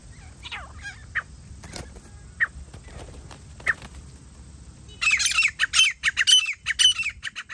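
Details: Grey francolin in a bird-hunting setting. After several seconds of scattered faint notes, a loud, harsh, grating call series begins, with rapid squawky notes repeated about every half second against low background rumble.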